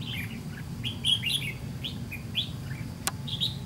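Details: White-cheeked red-whiskered bulbul heard during a trap fight against a decoy: lively, chirpy phrases of short slurred whistles repeated throughout, some notes bright and high, over a constant low rumble and one sharp click.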